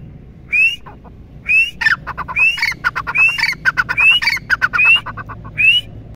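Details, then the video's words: Red partridge (teetar) giving short, rising squeaky whistles about every second, mixed with harsh, rapid clucking notes; a faint low hum sits underneath. "Teetar Ki awaaz | Teetar sound | Tetar Awaz | Dakhni Teeter Ki Awaz| Red Partridge | Tetar ki Awaz"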